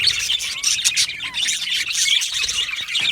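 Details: Busy chatter from yellow male budgerigars: steady high-pitched scratchy warbling with occasional clearer whistled chirps, running unbroken throughout.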